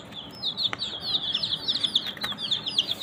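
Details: Young domestic chicks peep in a crowded chorus, high sliding chirps tumbling over one another in quick succession, with a couple of sharp clicks in the background.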